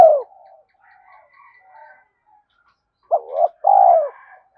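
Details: Spotted dove in a quick urging coo played to lure wild doves; a falling coo tail, a stretch of quieter distant cooing, then one clear phrase of a wavering note and a curved falling coo.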